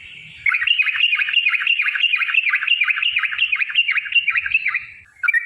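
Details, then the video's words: Lure song of a Yellow-vented bulbul, the long rapid 'ropel' style used to set other trucukan singing: one continuous fast warbling run of looping notes lasting over four seconds against a quiet background. "trucukan gacor TARUNG ROPEL PANJANG pancingan trucukan agar bunyi"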